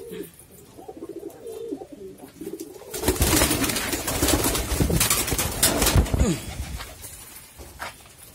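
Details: Golla pigeons, breeding birds raising eggs and chicks, in 2022. For the first three seconds, low rolling coos sound clearly in a wavering repeated phrase. Loud rustling and clattering handling noise then covers the rest.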